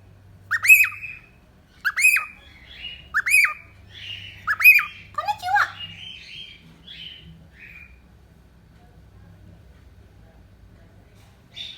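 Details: Cockatiel kept as a pet gives four evenly spaced harsh squawks, then a jumble of softer chirps that fades to near silence, over faint low hum.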